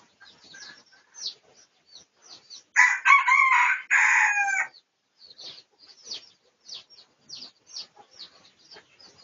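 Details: Red junglefowl of the pradu colour form, recorded for research on 18 August 2023: one loud, harsh, harmonic crow lasting about two seconds mid-clip, surrounded by many short, quiet chirping and clucking notes before and after.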